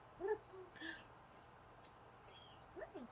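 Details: Pet Amazon parrot, a female kept indoors, giving a soft hooting note, a brief buzzy sound, then a pair of short descending whistles near the end, with low household hum.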